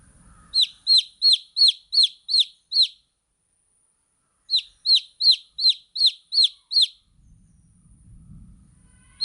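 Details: Young chickens peeping in two bursts of seven bright descending notes, evenly spaced, separated by a short silence; faint low rumble near the end.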